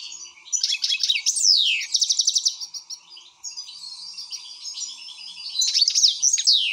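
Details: An excited European goldfinch delivers a fast, varied song of buzzy trills and quick twitters. Several notes swoop sharply downward, and the bird ends in energetic, jangling chatter.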